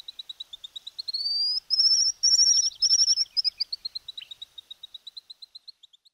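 Streamer-tailed Tyrant: sharp, high ticking notes speed up into a rising rush of loud, piercing chatter, then slow and trail off in spaced notes.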